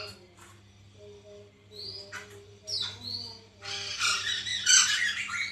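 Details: White-crested laughingthrush lure intended to set a caged bird singing: a few slurred whistled notes and short calls first, then a loud, harsh, scratchy chattering burst over the last two seconds, with low hum underneath.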